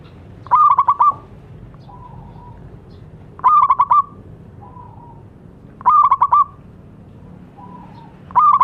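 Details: Local zebra dove in steady song, meant to prompt silent doves to sing: four rapid pulsed cooing phrases roughly every two and a half seconds, each followed by a faint short tone.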